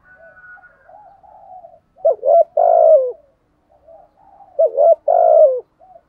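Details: Spotted dove in 'giọng thổ' voice, 'thúc gù' cooing: two phrases about two and a half seconds apart, each a quiet murmured lead-in followed by a quick double note and a strong drawn-out coo that dips at the end.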